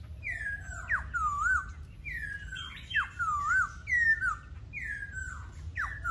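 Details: Laughingthrush repeating a whistled phrase roughly every second: a downslurred note followed by a wavering, looping whistle, delivered loudly and rhythmically several times over.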